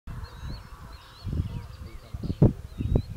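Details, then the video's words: American Bittern, the "thunder-pumper", at Big Island Wildlife Area, Ohio, wetland, gives deep, hollow, gulping booms like a pump run underwater, in a few uneven bursts, with thin high whistles of other birds in the background. "American Bittern Sound"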